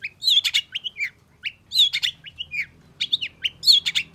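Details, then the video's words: Long-tailed shrike reacting with agitation to a rival, singing in three separate bursts of scratchy chatter mixed with slurred whistles, brief pauses between, faint low hum in the background. "KICAU CENDET GACOR EMOSI CEPAT DI RESPON PENTET LAWAN"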